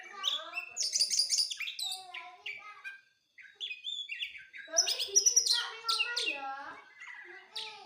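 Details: Magpie-robin pouring out a long, varied song of clear whistles, buzzy trills and harsh chatters, pausing briefly midway before resuming with loud, high, rapid phrases.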